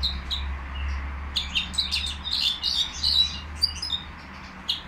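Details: Nightingale kept caged at the Qriaa bird market, pouring out a jumbled stream of quick chirps and buzzy whistles at an uneven pace, with low droning noise underneath.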